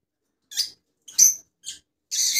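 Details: Rosella uttering short shrill chirps spaced about half a second apart, ending in a longer harsh, noisy screech.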